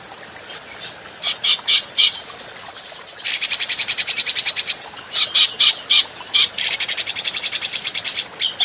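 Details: Adult grey-cheeked bulbul song recorded as a training track for other birds: bright high chirps in short bursts, then fast rattling trills of rapid repeated notes, alternating with clear whistled phrases.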